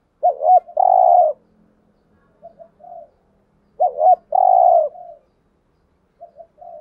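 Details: Spotted dove lure cooing to attract wild birds: two clear phrases roughly three seconds apart, each two quick notes then a long, steady, low coo, followed by softer short coos.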